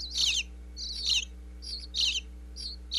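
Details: Young bluebirds begging inside their Pennsylvania birdhouse as a parent brings food, recorded with a wireless microphone in the box: short high chittering bursts about once a second, with quiet pauses and a low hum.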